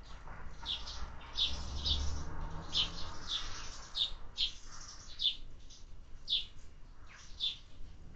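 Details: Sparrows at a feeder give overlapping, busy chirps and short twitters, several clustered together, over a low humming background noise.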